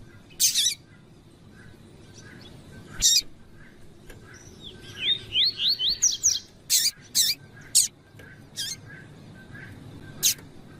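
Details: Tui-tui style double-collared seedeater male with a calling female, the female's calls meant to excite a cold male: scattered sharp, harsh chip bursts, then a fast run of slurred whistled notes around six seconds, followed by more clipped bursts.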